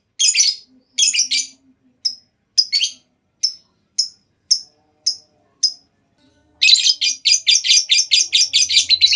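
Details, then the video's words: Lovebird call meant to prompt other lovebirds into long chattering: scattered harsh bursts, then single high chirps about once a second, ending in a fast, dense chattering trill. "Tanpa Nunggu Lama Burung Lovebird Lain Bakal Langsung Ikut Ngekek Panjang!"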